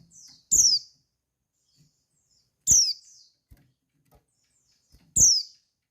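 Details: Female white-eye call to arouse males so that they answer and sing: three loud, piercing high notes, each dropping quickly in pitch, about two and a half seconds apart, with faint clicks between.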